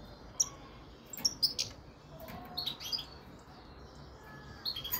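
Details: Carduelis carduelis frigoris goldfinch uttering scattered high tweets and sharp chips, a few clustered twitters mid-way, with a soft steady hiss behind.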